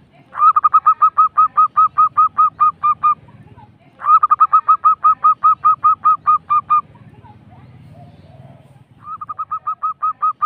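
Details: Zebra dove, local type, with the super rolling ngerrol song used to lure other doves: three long runs of quick, evenly repeated cooing notes, each with a stuttered start, separated by short pauses over a faint low hum.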